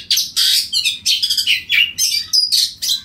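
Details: Oriental magpie-robin in loud song, calling out to rival birds; short bursts of harsh, buzzy notes and clear whistles, about eight phrases in three seconds separated by brief gaps, over a soft low hum.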